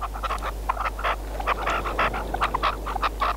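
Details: Red-legged partridge decoy bird calling loudly: short, rasping chuck notes in quick irregular groups, a few with a clearer ringing tone, and a faint steady drone beneath.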